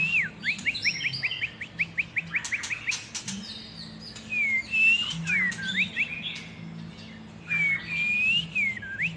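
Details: Long-tailed Medan white-rumped shama in lively song. Fast repeated upswept notes give way to varied high whistles and crisp clicks, then looping whistled phrases that rise and fall.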